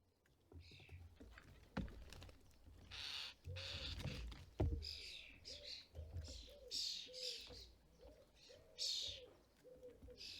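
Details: European starlings at a custom-built garden feeder in the UK during fledgling season, parents collecting food and feeding fledglings; harsh, hissing bursts repeat irregularly, with a low pigeon-like coo pattern repeating beneath and a few knocks.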